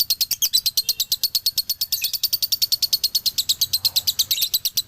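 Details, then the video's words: Male lovebird of the Galendo Ciamis line giving its dobelan song: a fast, steady machine-gun run of sharp high chirps, evenly spaced and near-constant in pitch, with a slightly brighter, denser patch midway. "SUARA ASLI DOBELAN LOVEBIRD JANTAN"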